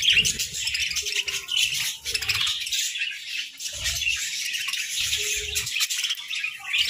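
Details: A group of budgerigars feeding on grass and moringa, chirping in a bright, unbroken warble of high notes, with faint short low taps from their eating.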